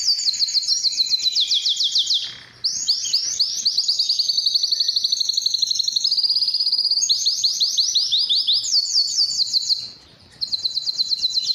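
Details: Courtship singing by a Belgian canary, played to excite hens and train quiet birds: continuous high rolling trills in several tours, with two short gaps near 2.5 and 10 seconds.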